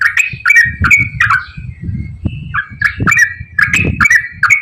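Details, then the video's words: Yellow-vented bulbul giving a long, rapid-fire chattering song: bright, bubbly notes in quick repeated bursts, with a low rumbling noise underneath. "KICAU TRUCUKAN GACOR ROPEL PANJANG"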